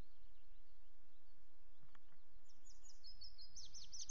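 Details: Common chaffinch preening and singing on a camera perch at Loch Garten, 24 May, 17:02; after a low steady rumble, a high rapid run of bright notes begins midway and drifts slightly downward to the end.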